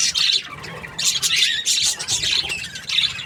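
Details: Budgerigar chirping happily: bursts of harsh high chatter and short squawks, separated by brief dips, with a soft downward squeak near the middle.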